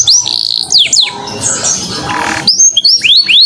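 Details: Canary song used to draw out singing in other birds: sharp upslurred whistles, a noisy middle passage, then rising notes repeated roughly four times a second.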